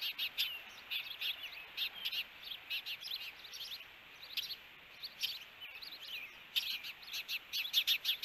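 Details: Osprey pair at a nest camera in Hellgate Canyon, Missoula, Montana, June 21, 2022, during an encounter at the nest: uneven, excited high chirping with overlapping squeaky notes and brief quieter gaps.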